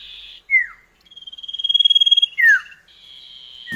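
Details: Common iora duet song used as a lure to get kept birds singing: sharp downslurred whistles interrupted by a long, steady, pulsing high trill, then a sustained level whistle.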